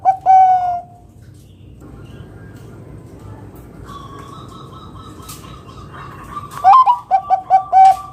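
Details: Zebra dove, a loud local Bangkok-type singer used to lure other doves into song. The tail of a long, level cooing note opens the recording. After a quiet stretch with faint background bird sounds, a rising first note and clipped coos start again near the end.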